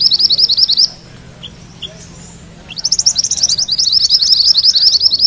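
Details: Mantenan kuning song used for magpie-robin tutoring: a brief high trill, a quiet gap with a couple of faint chips, then a rising rapid roll of sharp notes to the end.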